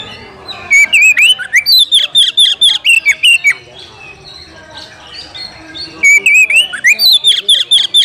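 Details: Oriental magpie-robin seeking a rival to fight: rapid, rhythmic series of whistled notes with sharp clicks, one pulsing phrase for about three seconds, a two-second lull, then the same quick whistled sequence again.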